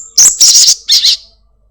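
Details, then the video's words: Home-kept black-winged myna in a lure recording to prompt caged birds to sing: three loud, grating, buzzy bursts in quick sequence, the middle one longest, ending with a fading harsh note. "Sogon gacor || Pancingan sogon rumahan agar cepat bunyi"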